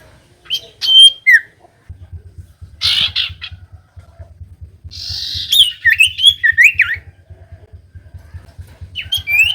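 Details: Common iora song used to provoke reluctant birds to sing: chirps and quick warbled whistles in up-and-down runs, over a steady low ticking background.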